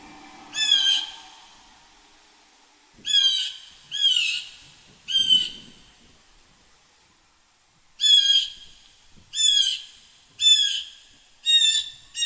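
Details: A wild blue jay in a yard gives eight harsh, nasal jeer calls, each about half a second long, at irregular intervals of one to two seconds. The background is otherwise quiet.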